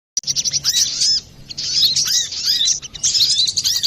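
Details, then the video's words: Brown-throated sunbird singing busily as a lure recording for trapping or training birds: dense, high, clear twittering with quick rising-and-falling chirps in bursts, a short lull near the middle, then fast twittering again. "Pancingan burung Kolibri Klapa ribut,suara jerni"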